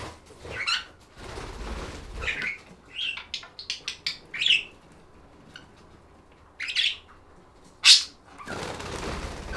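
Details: Budgerigars giving scattered short chirps and squawky notes, bursts spaced irregularly between quieter pauses, with a brief broadband rustle near the end.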